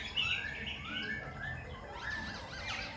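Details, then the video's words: A Khe Sanh laughingthrush sings a steady stream of rich, varied whistles while displaying, switching phrases continuously with sweeping rising and falling slurs over faint background hiss. "Khướu Khe Sanh hót múa đảo giọng liên tục"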